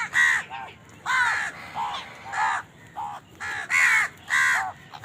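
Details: Several crows caw over one another while feeding and fighting for food, making a dense string of rasping caws of mixed length and loudness with hardly any pause between them.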